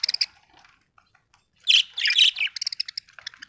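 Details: Budgerigar chatter: quick tinny chirps at first, a short pause, then a loud run of harsh squawky warbling followed by rapid repeated ticking chirps.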